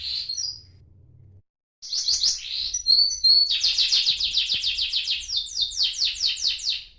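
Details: Pet canary about a month old, a brief whistle, short pause, then a long rapid trill of repeated chirping notes, with faint low background hum at the start.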